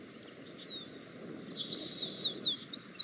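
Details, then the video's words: Double-collared seedeater singing free in the wild, recorded on a mobile phone: a high, sweeping whistled phrase with quick slurred notes, heard over steady broad background noise. "COLEIRO: PURA FIBRA CANTANDO SOLTO NA NATUREZA !"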